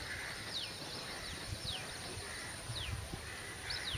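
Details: Afternoon recording of a drongo, known locally as karichan: four thin, high whistles each sliding steeply downward, spaced roughly a second apart, over a steady background buzz and soft low rumble.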